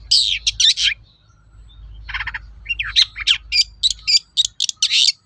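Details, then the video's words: Lure song of a long-tailed shrike meant to prompt other shrikes to reply: scratchy high notes, then a quieter rasping buzzy stretch, then a fast run of sharp metallic chips and squeaks. "SUARA BURUNG PENTET GACOR AMPUH UNTUK PANCINGAN CENDET LAIN AGAR NYAUT"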